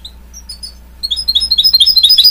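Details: Goldfinch mule hybrid of goldfinch and canary: a few soft high chirps, then a quickening bright twittering song with a low hum underneath.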